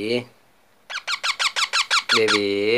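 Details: Young parrot chick calling with a rapid run of about nine grating, squeaky notes, each dropping in pitch, framed by a human voice speaking before and after.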